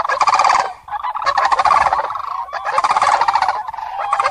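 Common crane giving loud, rolling trumpeted calls in three bursts over four seconds, each a rich, rattling bugle with no other sounds.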